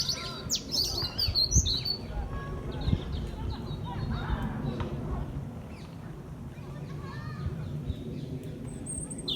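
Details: European robin (Erithacus rubecula), song.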